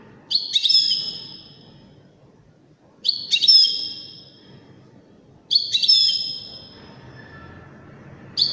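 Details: Wedani goldfinch singing elegantly: three bright phrases about two and a half seconds apart, each a sharp twittering start sliding into a long ringing high note, with a fourth phrase just beginning. Soft rumbling background noise.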